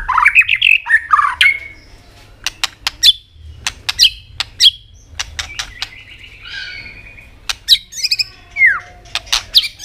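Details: White-rumped shama with continuous tạch clicking, played to stir other birds to sing: a quick warbled opening, then spaced sharp clicks, some with short high whistles, and a slurred note near the end.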